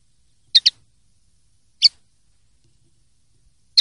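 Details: Common linnet recorded for clean song, 2023/2024: a crisp double chip, then a single note about a second later and another at the end, all short and bright over silence.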